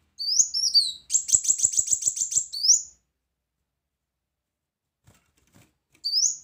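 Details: Loud master song of a brown-throated sunbird: rising swooping whistles, then a fast, even trill of rapidly repeated high notes lasting over a second, ending in another upslurred whistle.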